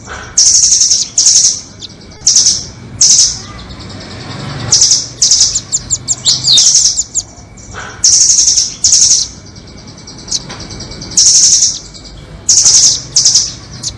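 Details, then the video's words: Lure calls used to trap nuthatches, doraemon and red-billed kinds: sharp, very high trilled bursts about every second, each clipped and buzzy, with occasional quick rising notes and quiet gaps between. "Pikat burung rambatan doraemon vs paruh merah"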